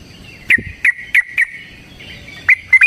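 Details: Yellow-vented bulbul fighting song, kept as a lure for other bulbuls: a handful of crisp, separate chirps spaced about a third of a second apart, then a short pause and three more quick notes.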